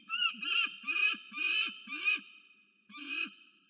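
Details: Peregrine falcon visiting the nest, filmed by a nest camera at Orange, New South Wales, Australia, on 10 January 2024: harsh repeated wailing calls, about five in quick series, then a pause and one more.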